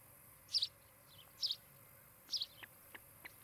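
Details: Osprey couple at their Charlo, Montana nest, on a nest camera on 16 July 2018, afternoon: three high, doubled chirps close together, followed by softer short ticking notes, over steady background hum.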